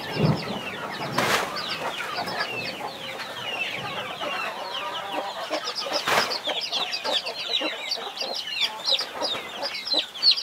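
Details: Twenty-one chicks under a guarding hen keep up busy, high, slurred peeping, broken by a couple of sharp broadband thumps.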